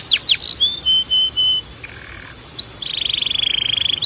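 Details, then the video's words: Canary singing for training other canaries: sharp descending chips, thin sustained whistles, a pair of rising slurs, then a fast, even trill held for over a second, all very high. "Melhor Som de Canário Para Treinar"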